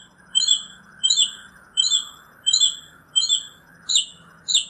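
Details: Northern mockingbird repeating a bright, high, upslurred whistled note about every 0.7 seconds, with a steady faint hiss in the background.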